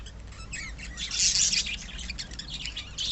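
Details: Budgies from a colony of pet birds give a continuous twittering stream of shrill, warbling chirps that swell into a loud burst before settling into steady, busy chatter.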